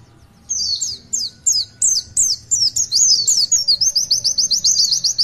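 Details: Oriental white-eye singing a long tulitwitwit song in full voice. After a short silence, separate high, falling whistles come about every quarter second, then speed up into a continuous rapid chirping trill.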